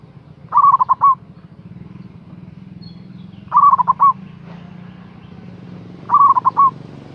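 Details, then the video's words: Three phrases from a big-voiced local zebra dove used as a lure to call a rival: quick, bubbling coos ending in a longer note, repeating every two to three seconds above a low humming background. "Suara Perkutut Lokal GACOR Suara Besar Ampuh memanggil LAWAN Emosi Manggung"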